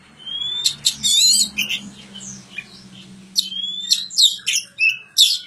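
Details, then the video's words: Magpie-robin in village care giving scattered high whistled notes and sharp chirps separated by gaps, over a faint low hum. "kicau burung kacer"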